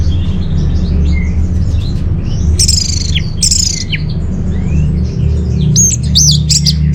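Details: Orange-headed thrush song, played to lure and train caged birds: scattered soft notes, then loud high, descending whistles with a sharp upturned ending, and a cluster of bright high notes near the end, over low rumbling noise.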